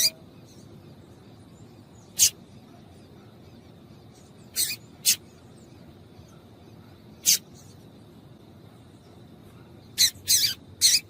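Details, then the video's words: Irregular harsh high chips from a female yellow-bellied seedeater calling to excite males, singles and pairs with gaps of up to two seconds, ending in a quick cluster of three. "Piado de Fêmea de Papa capim para Esquentar Papacapim"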